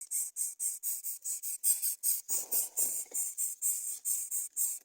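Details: Greater coucal chicks that refuse to eat fish make a steady series of high, hissing rasps, about two each second, with regular short gaps and a faint rustle midway.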